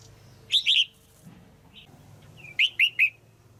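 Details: Caged female red-whiskered bulbul call used to stimulate a male or for pairing, two groups of quick bright downslurred notes, three then four, separated by a quiet gap with a few soft chips.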